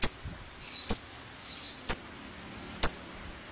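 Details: Lovebird calling in isolated piercing chirps, four sharp high squeaks about one second apart, with near silence between them.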